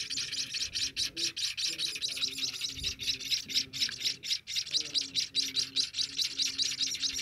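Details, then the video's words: A 10-day-old Scaly-breasted Munia chick begs while being hand-fed: a fast, continuous stream of high, thin, buzzy cheeps, about two a second, with a faint low hum underneath. "meloloh anakan emprit kaji"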